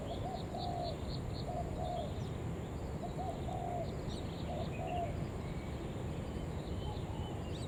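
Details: Spotted dove lure call meant to attract other doves: short paired coos recur every second or so, mellow and low, backed by constant low-pitched noise and brief high twittering from other small birds.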